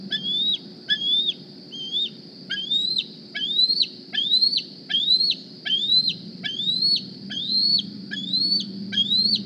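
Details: At the Decorah eagle nest one morning, a 2020-hatched young bald eagle begs for a meal with about a dozen piercing, upslurred squeals in quick, fairly even succession against faint low background noise.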